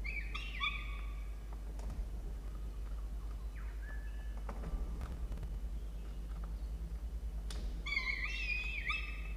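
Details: Peregrine falcon chick in a campus nest box in Orange, New South Wales, Australia, at breakfast delivery: short bursts of high, harmonic wailing cries at the start and end, separated by a quieter stretch with faint notes and clicks.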